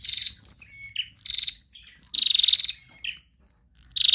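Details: Female bar-winged prinia singing in trotol style, a lure for other birds: short buzzy rapid-pulsed bursts near high pitch, separated by thin level whistled notes, about four bursts in four seconds.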